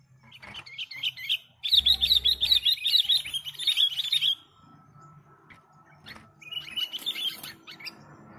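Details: Sooty-headed bulbul in lively, continuous gacor singing, used to lure birds: rapid chattering bursts of high, wavering notes, a dense fast run in the middle, then a pause and a shorter high twittering phrase, over a faint low hum.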